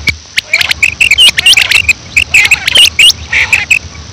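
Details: Female quail calling in the morning: busy series of short, sharp high chirps and trilled notes, several birds overlapping, with clicks and rustling in the background.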